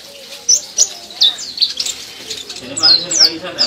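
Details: Purple-throated sunbird (Leptocoma sperata), a captive bird in song training, giving thin, very high, sharp chirps in quick irregular bursts, each note slurring downward, with faint low murmuring underneath.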